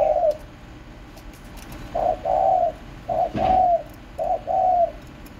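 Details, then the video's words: Spotted dove giving a repeated coo phrase. Each is a short soft note followed by a longer drawn-out mellow coo, about once a second across several phrases, with a faint clatter in the background. "chim cu gáy gù | chim cu cườm gáy"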